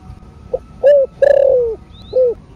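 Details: Spotted dove, called cu gáy, in the thổ sấm đồng cooing style, played to stir caged doves: a soft lead note, then a series of low mellow coos, the longest drawn out and falling, with faint high chirps behind.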